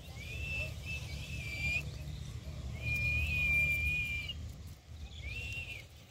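A parrot gives three clear, high whistles, two long and level, one short, with a steady low rumble of background noise.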